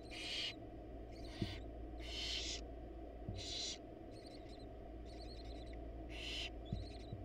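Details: Barn owls in a wild nest box, the male bringing a rat while the mother is not home; broad, wheezy screeches alternate with quieter stuttering chatter, each burst under a second, above a low background drone.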